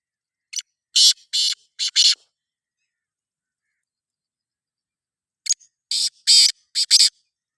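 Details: Black francolin calling: two harsh, rasping phrases of about five short buzzy notes each, delivered quickly and separated by roughly three seconds of silence; no other clear sounds.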